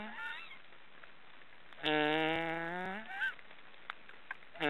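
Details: Three young black storks in their nest in an Estonian forest give a drawn-out, nasal, droning snore about a second long, slightly rising, with shorter wheezy bursts before and after.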